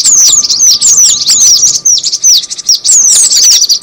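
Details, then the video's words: Cinereous tit calls used for luring birds: a continuous run of sharp, high downslurred tweets, closely packed and overlapping, over a faint constant hum. "suara pikat burung gelatik batu"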